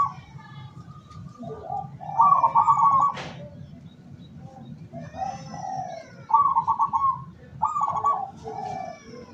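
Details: Decoy zebra dove, local kind, for luring wild doves, 17 August 2023: three separate bursts of fast trilled cooing with soft lower notes, a sharp click and other faint calls around them.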